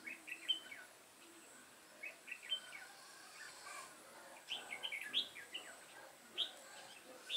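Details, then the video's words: Caged decoy red-whiskered bulbul singing to draw wild birds into a trap, 28 September 2017; short whistled, warbling phrases repeated every second or two across the clip, with steady faint high background hiss. "Bẫy chào mào Chơi tít mù mau mỏ"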